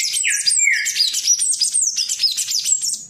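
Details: Palm tanager singing a lot: nonstop, high, squeaky twittering with quick slurred notes, opening with a couple of lower downslurred whistles.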